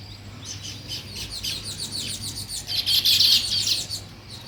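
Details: Weaver birds at work on a nest, uttering quick, scratchy high chirps in uneven bursts that grow into a louder, buzzy chatter midway before fading.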